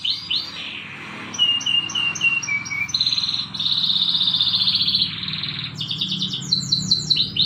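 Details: Morning canary training song: spaced whistled notes stepping downward, then a long buzzing rolling trill and bursts of rapid repeated notes, against a steady low background hum.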